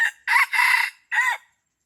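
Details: Red junglefowl crowing during a luring hunt at Pasir Putih, Krueng Raya: a short opening note, then a loud hoarse two-part phrase and a clipped final syllable, all within about one and a half seconds, with silence around it.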